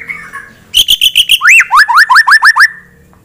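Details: Rival-provoking white-rumped shama song: after a soft held tone, a run of rapid staccato notes leads into about eight quick rising whistles repeated evenly, ending abruptly.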